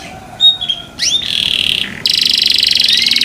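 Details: Canary delivering a few clear whistled notes, an upward slurred note, a buzzy trill, then a steady rapid high trill lasting the final second.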